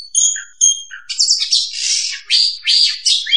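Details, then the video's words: Oriental magpie-robin lure song: a few clear, high whistled notes, then a rapid run of harsh, scratchy, buzzy phrases with short breaks. "suara pikat burung Kacer"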